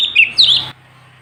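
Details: Sooty-headed bulbul singing energetically, a tutor recording for training other songbirds: one short burst of bright warbled notes, then sudden quiet with a low steady hum.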